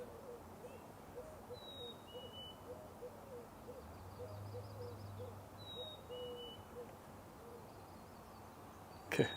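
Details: Eurasian collared dove calling from a tree on a morning walk through a marsh in British Columbia, low hollow coos in a steady series, with thin high whistles of other birds, a low hum and a sharp knock at the end.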